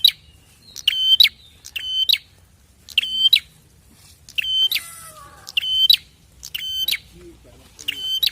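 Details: Prinia calls used as a lure to make wild prinias call back: loud, buzzy, sharply clipped double notes repeated about once a second, with a brief scratchy rasp in the middle and quiet background.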